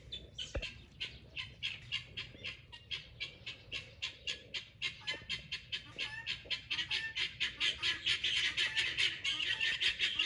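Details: Excited pearl guineafowl kept in a garden, a long run of raucous, rasping cries that become faster and more insistent toward the end.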